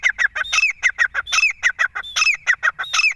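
Grey francolin giving a loud, rapid series of harsh, clucking notes, many per second, with shrill rising accents every half second or so.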